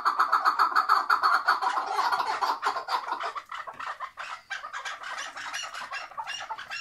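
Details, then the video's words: Chukar partridge kept tethered in Şırnak, Turkey: a fast rhythmic series of hoarse chuck notes at roughly three to four per second that grows rougher and more broken in its second half. "ŞIRNAK KEKLİK SESİ | Bağlı Keklik Sesi Bir Başka"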